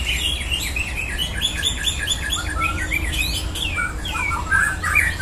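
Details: White-rumped Shama (murai batu) in a contest simulation meant to produce quality, contest-ready fighter birds; quick runs of clear whistled notes swooping up and down, with other songbirds chattering faintly behind and a steady low hum.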